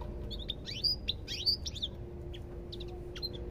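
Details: Close, loud goldfinch song: bright buzzy trills and sharp whistled notes packed into a rapid burst, fading into a few scattered chirps, with a soft steady tone beneath.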